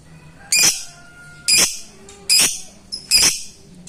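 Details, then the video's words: A lovebird calling out to a rival, ngetik style, as a lure for quiet birds: four loud, shrill, rasping shrieks spaced almost a second apart, with a faint low hum between them. "LOVEBIRD MEMANGGIL LAWAN"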